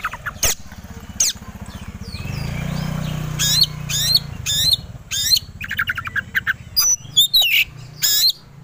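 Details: White-rumped shama provoked into aggressive, fight-ready singing: scattered sharp clicks over a low hum, then loud clusters of high rising whistles and chattering notes repeated in short bursts.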